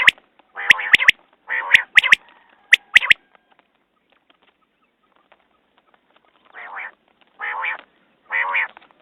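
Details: Common quail calling: brisk phrases of nasal notes tipped with sharp clicks about once a second. After a silent stretch come three softer nasal notes evenly spaced.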